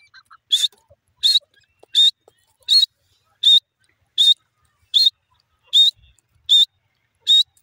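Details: Francolin, known locally as irani dakhni teetar, producing ten clipped, harsh, high-pitched calls at a very regular rhythm of about one every 0.7 seconds, with little other sound.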